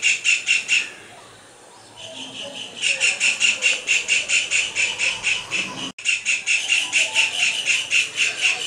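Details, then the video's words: Kingfisher song and dance: short runs of high, squealing notes repeated about twice a second, a brief lull, then a long steady sequence of the same sharp notes, cut once by a click. "Kingfisher Bird calls ---- Beautiful Song with dance"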